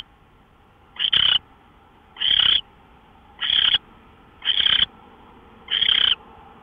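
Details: Owl recorded on 24 March 2013 at 5:27 in the morning; harsh, raspy hissing screeches, each about a third of a second long, repeated five times at uneven gaps of roughly one to one and a half seconds over a faint steady hum.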